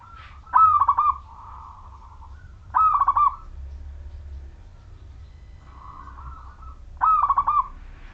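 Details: Majapahit local wild zebra dove, an active singer used to coax other zebra doves to sing: three loud rolling trilled coo phrases roughly every two to four seconds, with softer purring coos between them.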